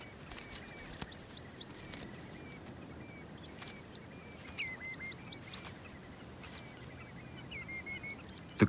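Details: A pair of Whimbrels guarding their nest in summer on short grassy plain at a glacier's edge, a dense breeding ground, give bursts of quick, high, rippling whistled notes in runs of five to seven, repeated every second or two over steady breeze.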